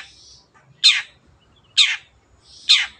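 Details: Long-tailed shrike producing three strident, scratchy, downward rasping notes at roughly one-second intervals, with soft, hissy sounds in between.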